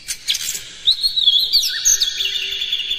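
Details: Loud Oriental magpie-robin song used as a provoking track: quick chirps, then a sweet warbled whistle, a low dipping slur and a long sustained high tone, with a faint low hum beneath.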